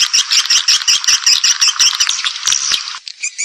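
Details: Swiftlet lure call for attracting birds to a roost house in Indonesia: loud, harsh, rapidly pulsed buzzy chatter repeating about three times a second, ending in softer high twitters.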